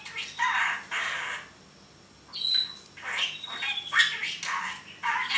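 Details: Male parrot kept in a cage, talking: harsh raspy squawks in short bursts, a pause of about a second, then more rough squawks mixed with a thin high whistle, inside a small room.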